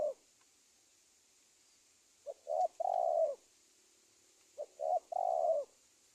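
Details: Lure calling of a spotted dove for trapping wild birds: two phrases of quick soft coos leading into a sustained lower coo, spaced over two seconds apart, steady hiss behind.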